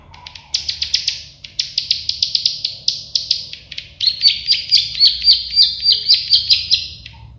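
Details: Plain prinia (prenjak sawah) singing a fast run of sharp ticking notes that shifts into a louder, lower series of buzzy clicks, each note repeated roughly three times per second; quiet hum in the background.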